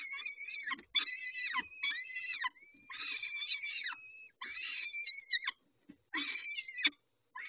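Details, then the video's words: Peregrine falcons at feeding time at Dobra, 11:48, dated 19-05-21. Harsh, screaming, harmonic calls come in roughly one-second bursts, mixing downward-bending whines with a long, steady, drawn-out tone. "Sokoły - Dobra karmienie o 11.48 19-05-21"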